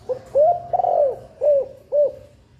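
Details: Female spotted dove cooing to stimulate breeding and egg laying: a short phrase of soft, rounded coos, a longer drawn-out swelling note followed by two brief arched notes, clear and close.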